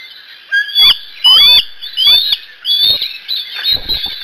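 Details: Juvenile bald eagle at the Decorah N2B nest around 05:17, eating a fish, looks around outside the nest and calls just before another young eagle flies in; high thin whistled chirps in short bursts, mixed with knocking thumps.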